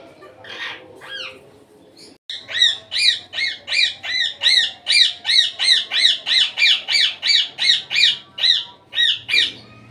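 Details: Indian ringneck parrot out of its cage, a couple of soft notes then a long series of shrill, screeching calls repeated about three per second in a steady rhythm.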